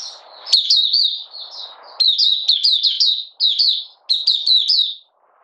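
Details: Oriental white-eye, Malaysian bird in minor moult and out of form, in open 'buka sing' song: clusters of rapid, high, slurred chirps in several phrases, soft muffled noise in the background between them.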